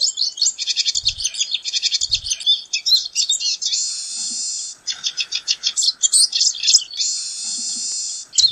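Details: Pine siskin (Spinus pinus) song: a long run of high, rapid, buzzy trills and twitters, with several drawn-out rising buzzes between stretches of fast chatter, with soft low thumps.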